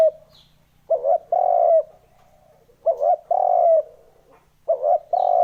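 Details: Spotted dove calling as a lure for wild birds: soft throaty coo phrases roughly every two seconds, each a quick broken double note leading into a sustained coo, with a few faint high chirps behind.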